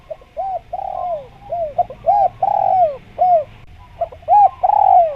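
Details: Spotted dove calling as a lure for wild doves. Short arched coos alternate with stretched, falling coos in a steady rhythm. A brief gap falls near the end before a final long slurred note.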